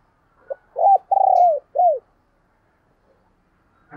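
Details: Decoy spotted dove cooing to lure wild doves: a short soft note, then a rising coo, a long throbbing rolled coo falling at the end, and a final arched coo, followed by quiet.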